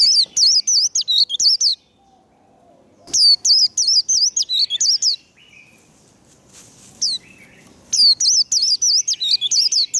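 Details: Warbling white-eye delivering líu đấu fighting song in three bursts of high, twisting whistled notes, about a dozen per burst at a quick steady pace, separated by pauses of quiet background noise.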